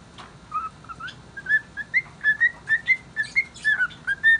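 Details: Good-humoured cockatiel kept as a pet, whistling an unidentified song: steady chain of short bright whistled notes, each slightly rising, roughly two per second, with a few faint higher chirps.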